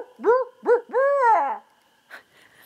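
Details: A barred owl, called in by a person, gives two short, rounded hoots and then a long, drawn-out wavering hoot. A brief soft noise follows.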